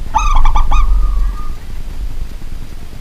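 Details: Local zebra dove calling after dark at home: a fast run of four clipped, rolling coo notes ending in one long, flat, sustained coo, then quiet room noise.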